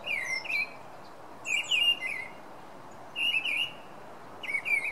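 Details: Song thrush, presented as a bird that sings at night, giving short clear whistled phrases with quick warbled twists, each repeated about every one and a half seconds over a soft steady background hiss.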